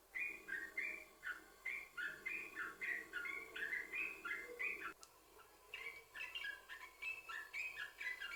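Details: Bubbly, repeated notes of yellow-vented bulbul song, used as a lure for other bulbuls, over a low background hum that stops midway after a click, then quicker notes resume.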